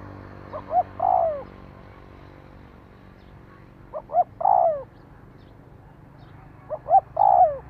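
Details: Spotted dove calling, used to stimulate a decoy bird: three phrases roughly every three seconds, each two short soft coos followed by a longer, louder, descending croo, over a quiet background.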